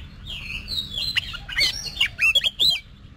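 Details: Oriental magpie-robin being voice-trained for competition singing; rising whistled notes build into sharp, varied chirps and slurred whistles, with clicking sounds between phrases.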